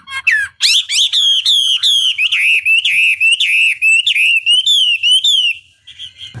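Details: Chinese hwamei (wambi) lure song meant to spur other birds to sing: loud, rich whistled phrases, rapidly repeated undulating notes of steady pitch running for several seconds before a brief quieter tail.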